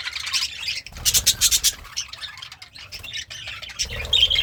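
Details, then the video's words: Cheerful budgie eating greens gives scattered chirps, then a burst of loud sharp clicks, softer twitters and a final squeaky note. "The Sounds of a Happy Budgie - Chirping, Singing, and Eating Greens"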